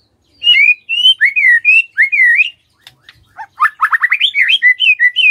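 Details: White-rumped shama singing on a lure track meant to make other birds sing: a series of looping, slurred whistles repeated at an even pace, then a rapid cluster of rising notes and further warbled phrases.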